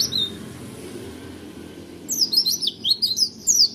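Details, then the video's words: High single note, a pause, then an Oriental white-eye bursting into fast roll tembak chirping, bright and jumbled, over soft background noise. "PLECI DEWA JUDI SI ROLL TEMBAK"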